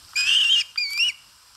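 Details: An eating osprey at a Finnish nest in Satakunta, seen on a live camera on 4 August 2022, gives two drawn-out, piercing whistled cries, the second ending in a rising upslur.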